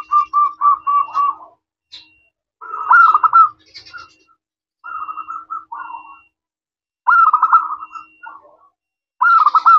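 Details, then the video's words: Clear-voiced local zebra dove singing actively, kept as a lure that prompts other doves to reply. It opens with a quick run of short even coos, then gives rolling, vibrating coo phrases broken by pauses. "Perkutut lokal gacor suara kristal, ampuh untuk pancingan langsung nyaut"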